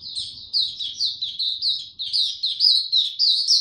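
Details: Male white-eye singing a maturing song, 9 February 2022: about a dozen bright, slurred high chirps in quick succession, slightly irregular in spacing, getting a little louder toward the end.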